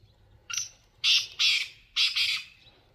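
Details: Black francolin giving its harsh grating call: a short opening note, then two loud rasping notes and a final double note, all strong and clear over a quiet background.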